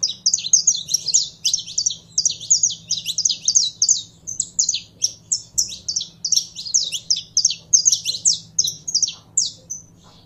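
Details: Long stretch of warming-up song from a captive saffron finch: dense, energetic, high chirps and trills repeated almost without pause, over a steady low hum.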